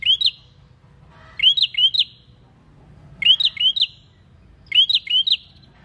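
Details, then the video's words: A prinia singing lively, used as a lure sound for other birds: bright, rising, upslurred chirps in quick bursts of two or three notes, roughly every one and a half seconds, over a faint low hum. "PRENJAK GACOR UNTUK PANCINGAN BUNYI"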